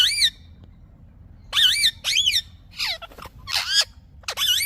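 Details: Green parrot repeating loud, tonal screeches, each note arching up and then down, with some notes doubled and rough-edged, roughly one call per second.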